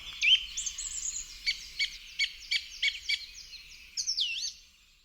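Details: Song thrush, a garden bird singing in spring: loud, clear phrases, a run of short, sharp notes repeated about six times, then a new slurred whistled phrase, each note group repeated before switching.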